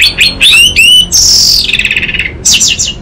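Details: Orange-headed thrush used as a lure and tutor for untrained birds: loud ringing whistles rising and slurring, a long shimmering trill that falls in pitch, then a final quick clear phrase.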